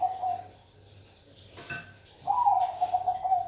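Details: The end of a zebra dove's trilled coo is followed by a brief rattling knock. A full new phrase of the Bangkok perkutut song comes next, rising at the start, then rolling in quick bubbly pulses.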